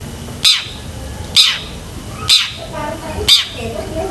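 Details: Long-tailed shrike in full, persistent song packed with mimicked fillers, meant for training pet shrikes: four harsh, broadband rasping squawks about one second apart, with a steady low hum and faint chirps behind.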